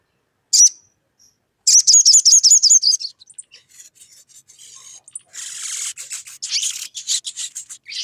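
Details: A sogon in full voice calling its rival, meant to set other sogon singing: a high chip, a fast pulsed trill, then harsh, noisy rasping bursts.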